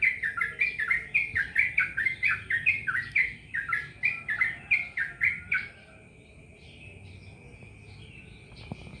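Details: Yellow-vented bulbul giving a fast burst of bubbly, descending chirped notes, about four per second for six seconds, then falling quiet, with a steady high hum in the background.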